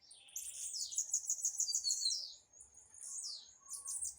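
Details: Blue-black grassquit singing in a dispute: a run of thin, high, buzzy chirps repeated quickly for about two seconds, then softer high notes return after a brief pause, with faint low rumble beneath.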